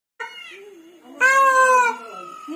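A peacock gives a quieter nasal note, then a loud, harsh, wailing cry that holds steady for under a second before fading, with a faint voice at the end.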